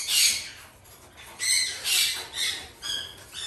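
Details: Raspy, grating squawks from three hand-reared female Red-shouldered macaw chicks bred in Japan, with about five separate bursts spaced irregularly and quieter pauses between them.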